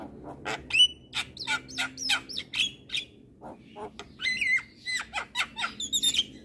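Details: Javan myna master recording of vigorous song: steady series of short scratchy notes with occasional clear whistles, including a level whistled phrase near the middle.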